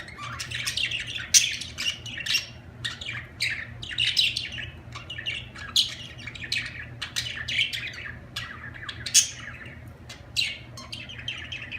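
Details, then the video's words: Budgie warbling song, a dense run of quick chirps, clicks and harsh squawks that barely pauses through nearly twelve seconds, a steady low hum in the background. "اجمل تغريد في العالم طيور الحب البادجي"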